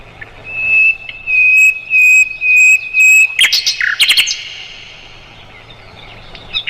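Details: Mugimaki flycatcher song for tutoring cage songbirds: five long, clear, level whistles in a row, then a short, jumbled burst of scratchy high notes before the bird falls quiet.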